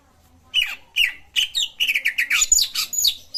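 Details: Cucak ijo song meant to trigger singing in a silent bird: bright whistled phrases starting with spaced downward-sliding notes, then a fast run of rich chattering notes.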